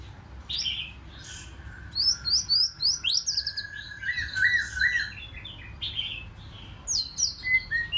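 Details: Singing white-rumped shama in the 'forest voice' manner, aimed at rousing a wild-caught shama into competitive song. Bright high whistled slurs alternate with a lower steady warble and rapid chirp series.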